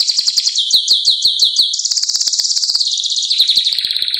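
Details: Canary song of loud, looping rolled syllables repeated several times a second, smoothing into a fine rapid trill, then returning to bouncing phrases; soft ticks beneath.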